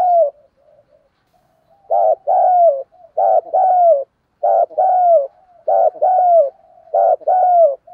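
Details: Loud, clear cooing from a decoy spotted dove used to attract wild doves. After a soft opening murmur, four double-note coo phrases follow at an even pace, the second note of each longer and gently descending.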